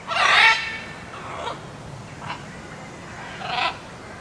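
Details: Captive blue-and-yellow macaws with a macaw hybrid at Wuppertal Zoo, Germany: a loud, harsh, grating squawk opens, then three shorter, rasping calls follow at roughly one-second intervals over a quiet, steady background.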